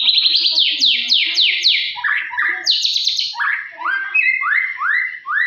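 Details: Lure song of a white-rumped shama meant to agitate rival shamas: a rapid series of sweeping downslurred notes, about four per second, followed by varied rising whistled phrases, loud and clean with no other sounds.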